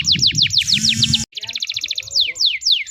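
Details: Singing canary used to coax juvenile canaries into learning song: quick descending whistled sweeps and rapid trills, briefly broken by a steady buzzy tone and a short gap, with low background rumble beneath the bird.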